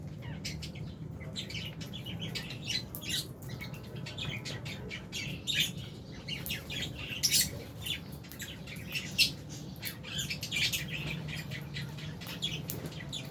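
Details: Albino and Fisher's lovebirds chirping together in a dense, continuous chatter of short, high, scratchy chirps and squawks over a steady low hum.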